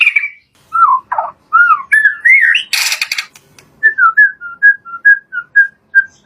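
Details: White-rumped shama lure song, full variation: loud slurred whistles rising and falling, a harsh noisy burst, then a steady series of short clear whistles repeated roughly three times a second.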